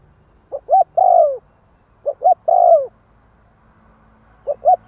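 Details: Spotted dove cooing used to provoke wild doves: phrases of two quick short notes and then a long, smooth coo curving downward, repeated with pauses of about a second. The background is quiet.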